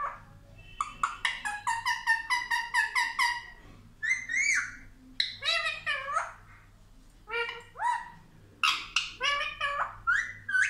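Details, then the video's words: Indian ringneck parrot, kept as a pet, said to talk 'mummy papa': quick bursts of harsh, harmonic, speech-like syllables in rapid runs, then longer bending squawky phrases, with a steady low hum behind. "मम्मी पापा बोलने वाला तोता ll Indian Ringneck Parrot Talking"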